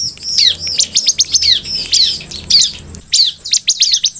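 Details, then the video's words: Bar-winged prinia singing vigorously, a quick run of thin, high chirps and sharp downslurred notes in tight bursts roughly every second, with a faint low hum beneath for the first three seconds. "KUMPULAN SUARA BURUNG CIBLEK PALING AMPUH BIKIN CIBLEK MERESPON|| SUARA CIBLEK GACOR"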